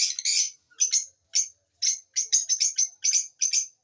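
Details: Repeated sharp, scratchy lovebird chirps, bright and high, coming in quick irregular bursts about twice a second, sometimes doubled, against a quiet background.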